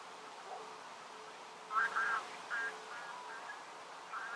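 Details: Grey heron of the nominate subspecies at Uitkerkse Polder, Belgium, in January 2017 gives short, harsh, nasal croaks: a close pair, then two or three single notes over about two seconds, over a faint steady hum.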